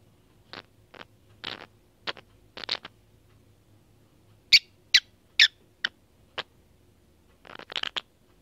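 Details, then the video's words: A lovebird gives about a dozen harsh, scratchy squawks at an uneven pace, some in quick pairs, the loudest in the middle, over a faint low hum. "Lovebird Making Odd Noises"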